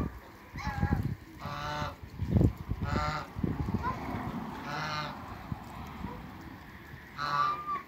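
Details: Domestic geese of the African and Toulouse breeds calling as they meet another animal on a farm. About five loud, nasal honks with stacked harmonics, spaced one to two seconds apart, over low rumbling background noise.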